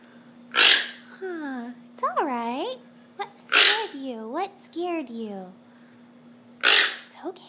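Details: A pet Toco toucan indoors gives harsh, rasping alarm croaks about every three seconds after seeing something out the window, possibly a kite, with a person talking softly between calls; owner calls it a false alarm.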